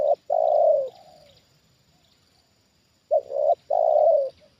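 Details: Trained spotted dove reacting to a wild bird brought down near it, cooing in low hollow phrases: a short note then a longer drawn-out coo, repeated after a pause.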